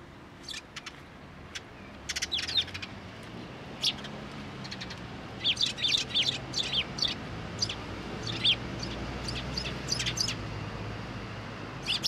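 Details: Several sparrows visit a fence post at a Tenmangu shrine to be fed on 21 April 2023. They give lively, overlapping chirps in dense bursts, with soft low rumble underneath.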